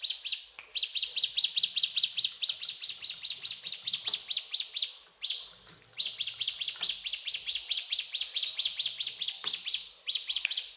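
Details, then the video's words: Energetic mountain tailorbird song: long rapid runs of shrill, evenly spaced chirps, each burst lasting several seconds before a short break, with faint low background noise. "Burung Ciblek Gunung Gacor Cetrakan"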